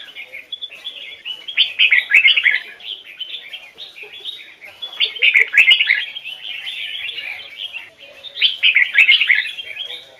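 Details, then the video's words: Trained red-whiskered bulbul singing double-note Hoài Sơn forest style song; flowing melodic warble rising into three loud bursts of quick whistled notes separated by softer, quieter passages. "Chào mào hót giọng chuẩn, âm kép rừng Hoài Sơn"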